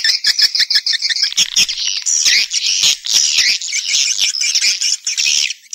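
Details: Swiftlets, in a recording played to draw the birds into houses to nest. Quick repeated chirps at the start merge into a thick, unbroken twittering wash of many overlapping calls.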